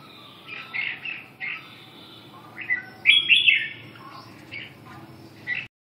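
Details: Red-whiskered bulbul singing after waking up, short warbled phrases of clear fluting notes, rising and falling, with a louder bright burst midway, over a steady low background hum.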